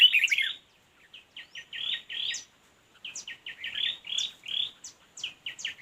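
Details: Red-whiskered bulbul during decoy fight-trapping. A loud jumbled burst gives way to runs of short bright chirps. After a pause, more quick chirps come, with high thin notes mixed in.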